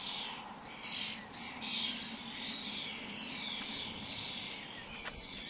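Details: A starling flock wandering about, giving repeated raspy chattering notes and short high clicks and whistles, roughly once a second, with a constant low hum behind them.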